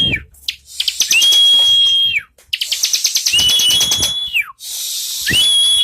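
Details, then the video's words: Bar-winged prinia singing: a fast buzzy trill of rapid notes that runs into a long, clear, high whistle which dips at the end, repeated three times with brief pauses between phrases. "Burung Ciblek"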